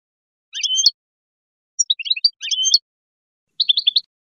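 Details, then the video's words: European goldfinch lure song in natural style: short, bright tinkling bursts of twittered notes, each under half a second, with brief pauses between phrases against a silent background. "Reclamo Jilguero"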